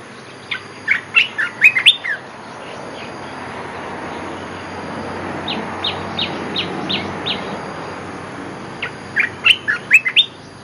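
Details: Olive-winged bulbul lure call: an opening burst of sharp, chattering chirps, then a quieter string of evenly spaced short notes, and another chattering burst at the end.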